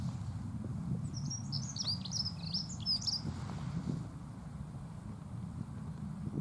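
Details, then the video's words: Dunnock singing a short, fast, high-pitched warbling phrase of squeaky twisting notes for about three seconds, then quiet, with constant low-frequency rumble and environmental noise throughout. "L' AGREABLE BRUIT DE L' ACCENTEUR MOUCHET"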